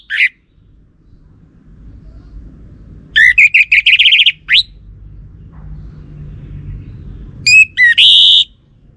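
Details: Lure song of the orange-headed thrush, played so a male will reply. A brief whistled note, then a burst of fast, rich warbling phrases with a sharp upslurred end, and later a short chattering, whistled phrase over faint low rumble.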